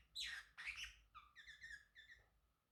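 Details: Male Pacific parrotlet at home gives two harsh, noisy squawks, then a neat series of about five clear, slightly falling whistled chirps that fade away.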